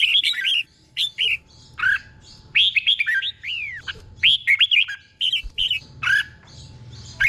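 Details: Cage-bird training recording of a red-whiskered bulbul's doubled song, delivered slowly and clearly. Repeated bright, bouncing whistled phrases arrive in quick bursts with brief gaps between them.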